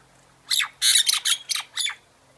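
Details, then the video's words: Myna producing a short burst of loud, harsh, rasping squawks, five notes in quick succession. "myna bird song / myna bird sound /mynah bird singing"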